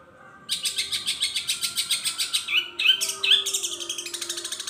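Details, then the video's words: Long-tailed shrike beginning after a short silence with fast rasping chatter, then a few sharp whistled notes, imitating other birds in its song. "kompilasi bunyi super panjang cendet isian gereja petir,Kunti, dan Tengkek Buto super ngeri"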